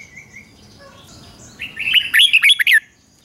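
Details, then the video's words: Morning training song of a red-whiskered bulbul: soft background chirps give way to a bright rapid phrase of five or six loud, bouncing whistled notes. "Luyện chào mào hót sáng"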